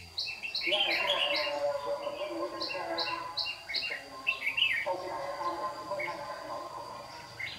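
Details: Decoy red-whiskered bulbul of the white-cheeked type in a dawn song duel used for trapping, 26 June 2019, tail flicking. Bursts of quick chirped notes and tumbling warbles come in groups with pauses, a faint steady high tone behind.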